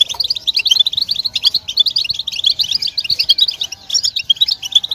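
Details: European goldfinches chattering together in a stimulation recording meant to rouse males into song: a continuous fast stream of bright, liquid twitters and chips, many overlapping notes.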